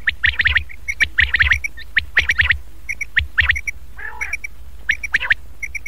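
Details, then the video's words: Quail lure call to draw in Chinga and fighting quails for catching, also usable at night: rapid groups of sharp, clipped notes repeated about once a second, with one lower, rounder nasal note midway. "چنگا بٹیر اور پکے بٹیر کو بلانے والی اواز"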